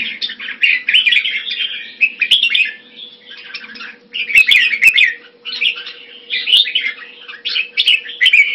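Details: Red-whiskered bulbul, or jambul, in the bird hobby, pouring out lively warbled phrases in repeated bursts separated by brief gaps. Occasional sharp clicks and a low hum are present.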